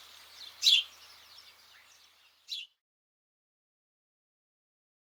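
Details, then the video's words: A House Sparrow gives two bright, harsh chirps about two seconds apart over a faint outdoor hiss that fades to silence. "House Sparrow"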